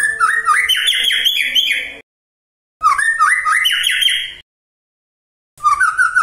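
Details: Magpie-robin song to provoke other magpie-robins: two near-identical phrases of fast rising, bouncing whistled notes about two seconds long, separated by silence, then the start of a third, with faint hum behind.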